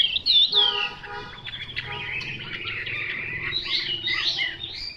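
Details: Chinese hwamei singing a varied run of clear whistled phrases, swooping notes opening loud, then a quieter busy stream of chirps and trills; a low steady harmonic hum sounds briefly near the start.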